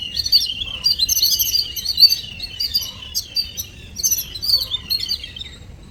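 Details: Small birds visiting in the morning give rapid, overlapping high chirps and twitters, a lively flock chatter with short louder bursts and brief dips, steady from start to finish.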